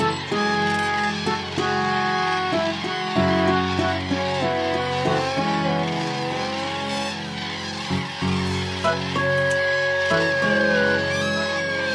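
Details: Only instrumental music with sustained tones and plucked notes is heard, with no animal calls.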